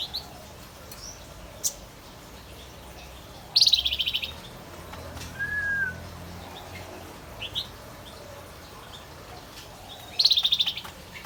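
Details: Singing male Javan white-eye producing two bright, rapid buzzy trills about six seconds apart, with scattered sharp chirps and a soft low whistle between them in an otherwise quiet setting.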